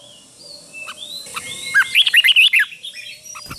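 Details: Red-whiskered bulbul kept in a cage, doubled-style song used to teach young birds: after soft faint notes, one loud rapid phrase of six or seven looping whistled notes, with a faint hiss in the background.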